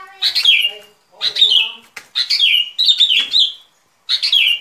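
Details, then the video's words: Sooty-headed bulbul song used as a lure for trapping: five short bright phrases about a second apart, each a quick cluster of notes dropping at the end, with gaps of silence between. "Tiếng Chim Bông Lâu Mồi Chuẩn Mp3 || Âm Thanh Đi Bẫy"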